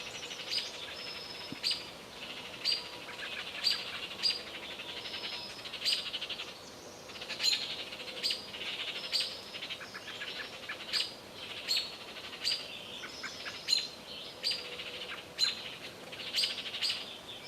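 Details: Small songbirds mobbing a perched predator such as a hawk, owl or cat give harsh, buzzy calls in repeated bursts, with sharp high chips mixed in.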